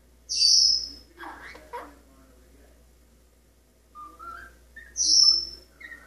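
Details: Pet Maximilian's pionus parrot, male, perched indoors on a kitchen sink faucet, singing and practising scales: a loud high whistled note, a short warbled phrase, quieter rising notes, then another high whistle.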